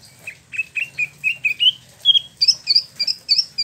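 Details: Spot-throated babbler held captive in Bandung, West Java, imported from China and Vietnam: a steady string of short whistled notes climbing gradually in pitch, ending in higher twittering chirps.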